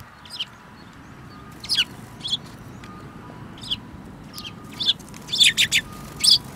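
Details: Several sparrows, one with a yellow beak, recorded on 5 February 2018: sharp, high chirps scattered irregularly, single and in quick clusters of two or three, over a faint steady background hiss.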